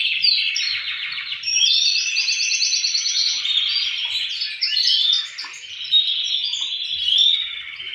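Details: Dense warbling chorus of male canaries, a strong singer with others replying, mixed trills and short whistled phrases with brief lulls, recorded as breeding stimulation.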